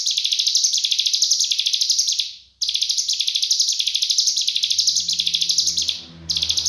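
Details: Shrill cigun song in tight 'full nembak' style, a master recording for tutoring murai, kacer and cucak ijo. A dense high trill pulses steadily, cut by two short pauses. A soft hum sits underneath.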